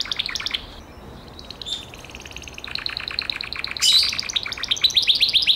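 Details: Gloster canary singing in broken phrases: short buzzy trills of rapid repeated notes, a quieter pause in the middle, then brighter chattering trills and a sharp high burst.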